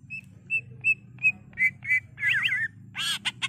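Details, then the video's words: Greater green leafbird singing: four short, clear whistled notes evenly spaced, then richer warbled phrases, a twisting, rolling trill and a harsh burst at the end. "Cucak Ijo Gacor"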